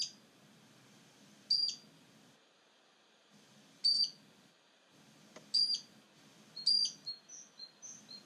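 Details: A great grey shrike (Lanius excubitor) sings at Trondheim Airport, Stjørdal, Norway, on 3 April 2019: short, high, sharp whistled notes about every two seconds, ending in a brief run of chattering notes over a faint low rumble.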